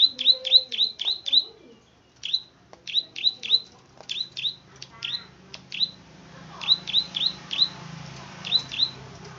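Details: Plain prinia, locally called klik-klik bird, a rice-field bird singing actively: series of sharp, rising clicking notes repeated about four times a second in bursts, with short pauses between bursts; faint low hum in background.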